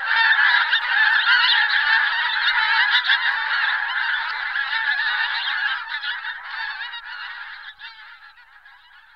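A large flock of pink-footed geese gives a dense, overlapping chorus of high, yelping honks that gradually fades over nine seconds.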